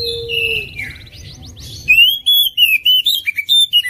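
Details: Oriental magpie-robin, a 2021 national champion competition bird, in full song with shooting notes: quiet whistles and chatter at first, then from the second half a loud series of quick, pulsing high whistled notes repeated several times per second.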